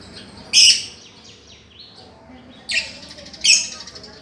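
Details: Lovebird on a master recording meant to coax a silent lovebird back into singing: three loud, harsh, shrill screeches spaced about a second apart, with faint thin chirps between them.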